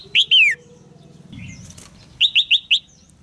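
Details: Caged female red-whiskered bulbul calling to get a young male singing; two sharp chirps, one sliding down, then after a pause a quick even series of four clipped chirps, with light rustling between.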